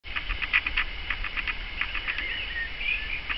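Black woodpecker giving a quick, uneven series of short, sharp, high notes, several each second, ending in drawn, wavering squeals over a low background rumble.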